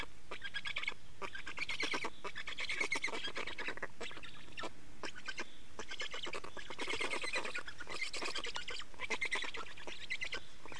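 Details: Black storks in Estonia at the nest during a change-over and feeding, 24 May 2019 at 15:15: continuous rapid, raspy pulsed bursts with a squeaky tonal edge, coming in dense runs of about one to two seconds with short gaps.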